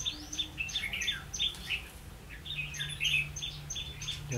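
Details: Decoy red-whiskered bulbul singing to lure wild birds into a trap, 16 October 2016. Short chirpy warbles come in bursts, with a thin high ticking pulse in the background and a low hum.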